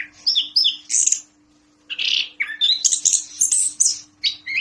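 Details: Orange-headed thrush, one of ten birds, singing: a few bright whistled notes, a second-long pause, then a fast burst of scratchy high chirps and trills over a faint steady hum.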